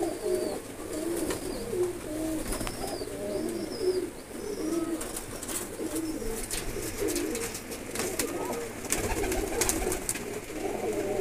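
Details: Blue pigeons prepared for a flying contest in a pigeon-keeping hobby; several birds give throaty, bubbling coos almost continuously, layered over each other, with short thin chirps above and a constant hiss beneath.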